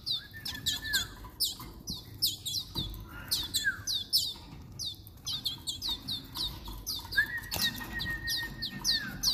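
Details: Young Timbrado canary, two months old, during supplementary hand-feeding with powder food: steady bursts of thin high downslurred chirps, occasional lower whistled slurs and a few knocks.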